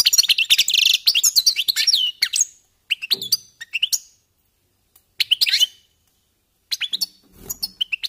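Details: Goldfinches warming up: a dense buzzy twitter at first, then short bursts of high chirps and trills separated by pauses.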